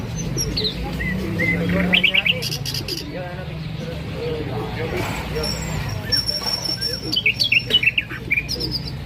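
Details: Hazar dastan, common nightingale, singing a varied run of short whistled and chirping notes, some rising slurs and quick trills, over a steady low hum with faint background voices.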